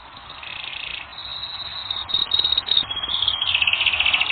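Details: Canary song from a training recording: continuous high, rattling trills that change pace and pitch every second or so. The song grows louder and buzzier toward the end over a soft, hissing background.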